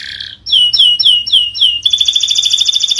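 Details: Canary singing, from a training recording meant to get silent birds singing again. It gives a short buzz, then five clear whistles sliding downward, then a fast, dense, ringing trill to the end.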